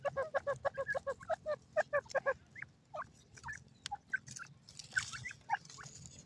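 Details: Grey francolin, the Indian partridge or desi teetar, calling: a rapid series of short, bright, repeated notes near the start, then scattered upslurred whistles and clicks, with a low hum underneath.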